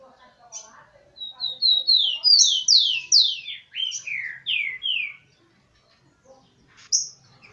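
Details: Tico-tico (rufous-collared sparrow), an excited breeder's male with females: a few soft high notes, then a loud four-second run of piercing whistles sliding downward, ending in lower slurred notes, followed by one isolated sharp chip.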